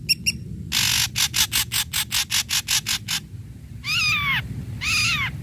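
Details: Ashy drongo performing to stir mute or stalled drongos into song: a run of about ten harsh, rhythmic rasping pulses, then two arched, nasal whistled notes.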